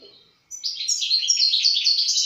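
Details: European goldfinch in song: after a short quiet gap, a rapid, liquid twittering run of bright high chirps and trills, loud and continuous.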